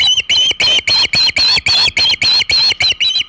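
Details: Hog Island nest osprey with a large shad, afternoon of 27 August 2019: loud, even, strident whistled notes repeated about three to four times a second.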